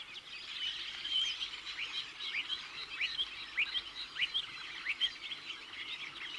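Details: Redwings, winter visitors and passage migrants from Iceland and northern Scandinavia, give thin, seeping contact calls as when flying overhead at night: a steady stream of thin, high, quickly rising chirps, several birds overlapping, over a soft background hiss.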